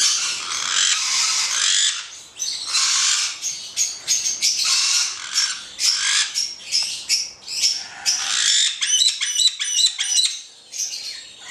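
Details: Black-headed caique pair calling: drawn-out raspy squawks, then a quick series of clipped high chirps near the end.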